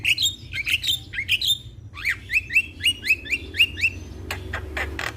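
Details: Young Javan myna in prolific, champion-style song meant for tutoring other mynas: a string of bright, sharply rising whistled notes repeated roughly three times a second, then a few dry clicks and rasps, with a faint low hum behind.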